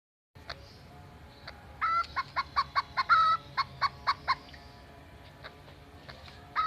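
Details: Greater green leafbird mimicking a chicken and a cat: a series of about ten short clucking notes near mid pitch, evenly spaced across two seconds, with a single brief note before them and another after.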